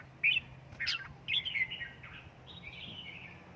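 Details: Home-kept red-whiskered bulbul in Gia Lai, trained to sing: a sharp note, then softer jumbled warbling and drawn-out whistled notes over light background noise.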